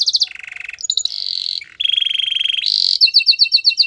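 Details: Canary singing several contrasting trills in quick succession, high buzzy and low rolling, ending in a run of short paired chirps.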